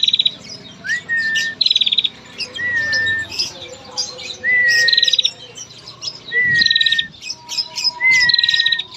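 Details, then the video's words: Calling female bar-winged prinia, kept as a lure to set males singing: five repeated phrases of a rising then level whistle joined to a rapid metallic trill, spaced roughly every two seconds, over a faint low hum. "prenjak gacor ngetir panjang || pancingan prenjak betina centil gacor"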